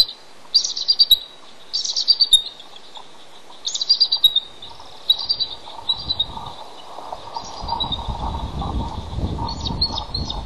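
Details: Bald eagle, a male on incubation duty at the nest, calls out while waiting for his mate to relieve him. Repeated high, squeaky piping phrases with sharp chattering notes, then softer calls as a low rumbling noise builds in the background.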